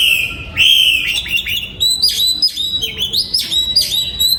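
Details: A breeding-aviary oriental magpie-robin, 2022, sings a steady whistled note, then a series of fast, sliding, chirpy phrases at high pitch with a brief dip midway.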